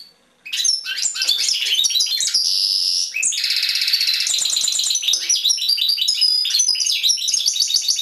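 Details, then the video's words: Caged European goldfinch singing a fast, continuous run of bright twittering notes, buzzy trills and a long harsh nasal rasp near the middle, with tinkling liquid phrases following, after a brief quiet start. "European Goldfinch Singing in Cage"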